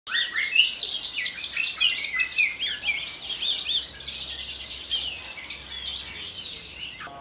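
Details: Captive Branjangan lark from Kulon Progo, one of a collection of over a hundred, singing in a dense, continuous stream of high chirps, trills and quick slurred notes without pause; known to hover before landing on its perch rock and sing while fluttering its wings.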